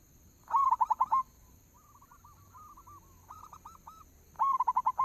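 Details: Local zebra dove lure cooing, meant to make doves start singing: a loud burst of quick pulsed coos, then several softer, lower strings of coos, then another loud rapid pulsed phrase to close.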